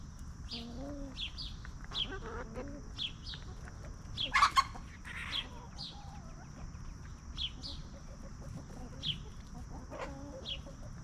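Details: Hens roaming free on a farm and scratching for food cluck calmly, with short soft clucks early on, a loud burst near the middle, and bright wild-bird chirps repeating every second or so above a constant high hum.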